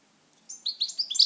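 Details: Pet European goldfinch giving a brief run of quick, high chirping notes, each slightly higher, after a quiet start.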